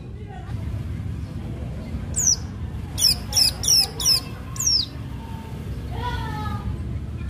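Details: Long-tailed shrike singing in sharp fighting style to provoke other shrikes: a short burst of five or six shrill, grating notes in quick succession, then a wavering nasal phrase, with a steady low background rumble.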